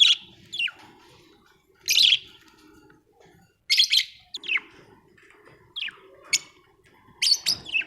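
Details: Happy budgie chirping: short bright chirps and warbled notes in scattered bursts, some sweeping downward, separated by quiet gaps, with a faint low hum underneath.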